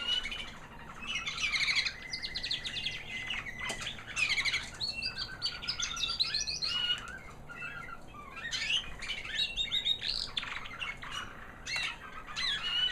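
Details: Female American Singer canary, white, proven 2009 hen that bred last year, singing a high, sweet little song after her molt: a long, nearly unbroken stream of bright twitters, chirps and rapid trills.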